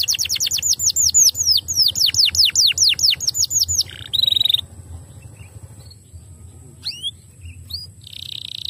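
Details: Canary singing as a stimulus for other canaries, opening with about seventeen loud, evenly spaced downward-slurred notes, followed by a brief harsh trill and scattered soft chirps over a low background hum.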